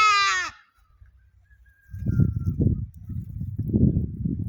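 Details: A single short, harsh hadada ibis call at the opening, its pitch sagging downward, followed by steady low wind rumble.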